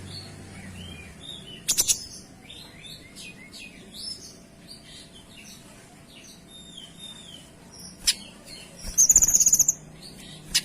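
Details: Kinoy singing vigorously with dense, clear bursts, used as a tutor recording for other birds: high scattered chirps and short whistles, sharp broadband crackles near two and eight seconds, and a rapid buzzy rattle just after nine seconds.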